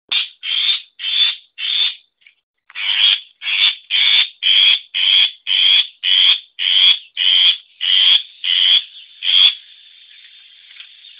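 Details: Long-tailed shrike singing a song still described as simple: a steady series of about seventeen harsh, high, scratchy notes, roughly two per second, with a short pause after the first four, on a quiet background.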